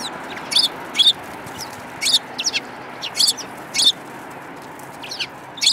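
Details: Sparrows with a yellow-beaked individual among them, 21 January 2018: loud, high, sharp chirps, single and doubled, coming every half second to one second against a quiet hiss.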